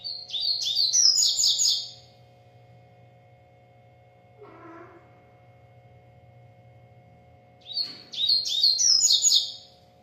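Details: Double-collared seedeater from a breeder, singing repeatedly: two high, rapid, warbling phrases of chirps and slurred whistles about six seconds apart, with a soft lower rustle between them and a constant background hum.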